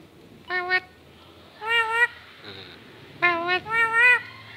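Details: A trained talking lory gives four nasal, rich-toned, word-like bursts, each rising and falling slightly in pitch, spaced about a second apart over a quiet background.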